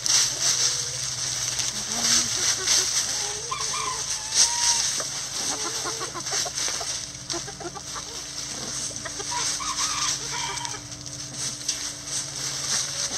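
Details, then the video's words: Backyard coop chickens working through a leaf pile, giving scattered low clucks and brief rising murmurs throughout, against constant hissing background noise, a low hum and the crackle of scratched leaves. "Chickens Scratching Leaves"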